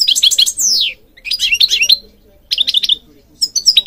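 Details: European goldfinch singing, recorded for training other birds, Morocco named as breeding area: bursts of bright twittering trills and chirps with a downslurred whistle, in three phrases separated by short pauses.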